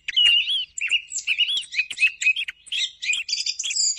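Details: Song of a thrush, played to lure thrushes for morning hunting: rapid, bright, warbled phrases with rising and falling whistles, broken by sharp clicks, ending in higher buzzy trills.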